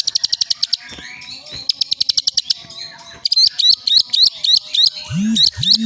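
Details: White-rumped shama, a long-tailed Medan bird kept in a cage and a contest winner, repeating quick high ticking notes in bursts, then looped whistled figures, plus two low rising-falling swoops at the end.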